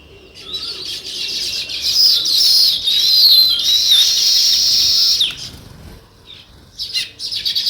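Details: Sparrows, described as weaver birds, chirping: the chatter builds into several seconds of loud, high, tangled twittering, stops suddenly, then short sharp chirps return.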